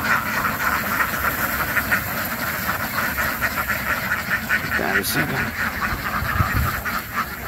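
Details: Continuous chorus of quacking ducks, crowded nasal calls layered into a steady drone, with a brief sharp burst of noise around the middle.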